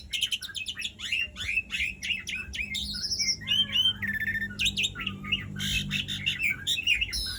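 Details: Asian pied starling in long, rolling song that serves as a lure for silent starlings: dense, varied chatter of descending whistles, rattles, buzzy squeaks and looping notes.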